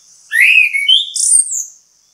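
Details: Orange-headed thrush (anis kembang), bait song for prompting others to sing: a single rich phrase of rising and falling slurred whistles, ending in a high sweeping note.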